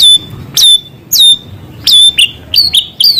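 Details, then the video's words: White-rumped shama singing small-bird filler material: sharp high whistles falling steeply into a steady held tone, repeated about every half second, ending in a quicker run of bouncing up-and-down whistled notes. "Murai gacor materi isian suara burung kecil"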